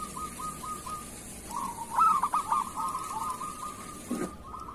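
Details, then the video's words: ['Local zebra dove, recorded as master song for teaching lazy doves to sing. A continuous soft purring trill is broken midway by a cluster of louder, stuttering coos. A short knock is heard near the end.'] "Suara perkutut lokal masteran perkutut kerot"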